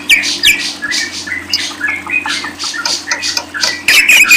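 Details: Lovebird song of harsh, high squeaks and twittering bursts, uneven in rhythm, ending in a louder shrill chatter. A low hum continues throughout.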